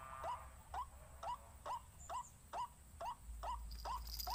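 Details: White-breasted waterhen calling in a rapid even rhythm of brief upslurred notes, backed by a low droning hum and a faint high whine toward the end.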